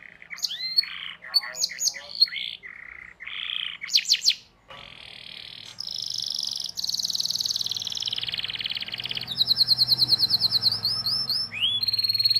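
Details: Canary in long continuous lure song used to tutor young canaries: varied chirps, buzzy trills and rolls with abrupt changes, a short pause midway, then long rapid rolling trills.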